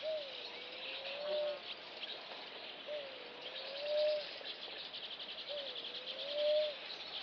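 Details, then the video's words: Namaqua dove repeating a soft, low hoot that sags then rises to a swelling end, three coos about every two and a half seconds, with constant insect buzzing in the background. "Namaqua dove | qoolley yar yar"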